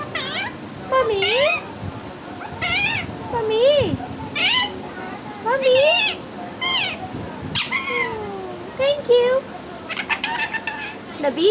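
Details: Parrot talking. It makes a steady run of varied, speech-like phrases with warbled and whistled tones that swoop up and down, broken by brief pauses.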